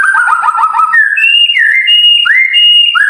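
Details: White-rumped shama song played to coax silent birds into singing: a fast rolling series of descending trilled notes, then loud clear whistles that swoop upward and hold, repeated several times.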